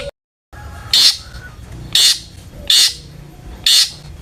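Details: Long-tailed shrike sound used to provoke other shrikes to sing: four loud, harsh, scratchy high bursts spaced about a second apart over faint background noise.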